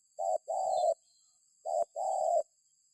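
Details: Spotted dove (tekukur) call used as a lure so other birds start calling: two low coo phrases, each a short hoot followed by a longer steady coo, repeated after about a second and a half pause in a quiet setting.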